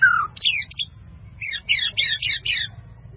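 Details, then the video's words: White-rumped shama in melodious song: short clusters of bright, scratchy chirps broken by brief pauses, each phrase packed with quick up-and-down notes, over a low background hum. "SUARA MURAI BATU MERDU"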